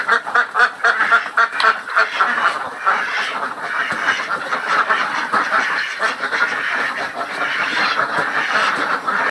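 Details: Farm ducks quacking in a flock: many harsh, overlapping quacks in irregular bursts, several per second, forming a dense, continuous noisy chorus throughout.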